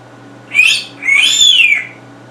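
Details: Indoor pet African grey parrot, male, that mimics game gunfire and cursing: a short squawk, then a long, loud, tonal screech arching up and falling away, with a steady background hum.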